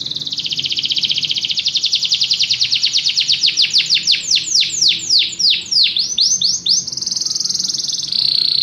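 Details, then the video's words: Canary delivering a long, rapid trill that gradually loosens into separate swooping notes, then returns to a smooth, sustained high roll at the end. "Canary bird | o canário canta muito bem"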